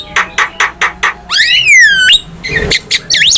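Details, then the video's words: Javan myna song from a cage-bird training recording: a run of five harsh, buzzy notes, then a loud whistled slur that rises and falls, followed by scratchy chatter and quick whistled notes. "MASTERAN JALAK KEBO GACOR"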